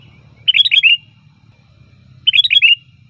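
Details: Sooty-headed bulbul giving two identical short, liquid, descending phrases of four or five bubbly notes, about two seconds apart, over a faint low hum; loud song used to lure bulbuls.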